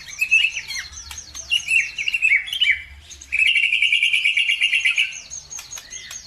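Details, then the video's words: Birdsong lure intended to trigger other birds into song: jumbled chirps and warbles, a brief pause, then a long steady buzzy trill lasting nearly two seconds, followed by more twittering. "PANCINGAN SUPER AMPUH CUKUP HITUNGAN DETIK LANGSUNG NYAUT BIKIN EMOSI BURUNG NAIK IKUT GACOR"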